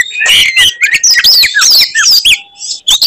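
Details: Oriental magpie-robin, in a provoking fighting song, gives a quick run of loud sweeping whistles and slurred notes rising and falling, with a short pause before a final high phrase.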